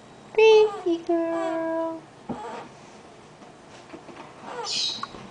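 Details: A female pet Eclectus parrot coos softly in a few drawn-out, voice-like tones that dip slightly in pitch. Quieter murmurs and a brief high squeak follow in a small room while her owner talks to her.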